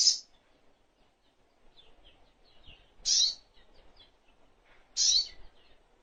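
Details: Crimson sunbird (sogok ontong) master recording for tutoring songbirds: three loud, short, sharp high chirping bursts spaced about two seconds apart, with faint scattered high twitters and light low background noise between them.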